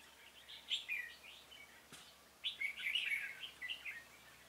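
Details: Caged decoy red-whiskered bulbul calling wild birds during a trapping session on 26 February 2018; two lively bursts of warbled, chirping phrases split by a sharp click, steady faint hiss behind.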